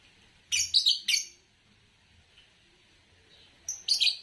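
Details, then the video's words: Green Fischer's lovebird gives two rapid, grating chirp bursts close together, then a quiet pause before a final thin pip and a scratchy doubled chirp. "Lovebird Chirping Sounds"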